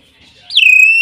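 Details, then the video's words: A single loud, clear whistle from a hill myna, starting high, sliding quickly down, then held level for about half a second after a brief quiet lead-in. "BEO super gacor"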